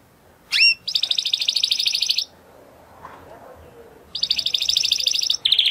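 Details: Spanish Timbrado canary singing: a quick rising whistle, then a fast buzzy trilled rattle of about one and a half seconds, a quiet pause, and another long rapid trill ending in a short lower note.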